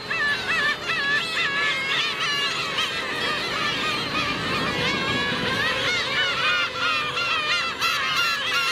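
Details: Black-tailed gulls (Larus crassirostris) in a busy colony give a dense chorus of mewing, nasal, wavering calls with no pause, while adult gulls attack a chick.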